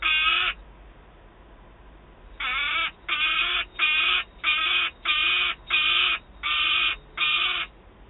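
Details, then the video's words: Peregrine falcon youngster, recently fed, screams at a Wałbrzych, Poland nest site on 27 August 2022 as an adult arrives with prey: one harsh scream, a pause, then a run of eight evenly spaced rasping screams. "Baron z łupem i wrzeszczący, najedzony Gutek"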